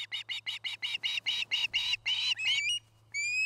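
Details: Nesting osprey on a camera-watched nest in Charlo, Montana, September 2018 afternoon: a quick string of clipped chirps growing longer and harsher, ending in thin rising whistled notes, over a faint electrical hum.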